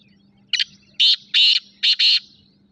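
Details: Black francolin, or kala teetar, delivering a full grating phrase: a short clipped note, then four loud harsh buzzy bursts, the last two paired closely, against a constant low hum.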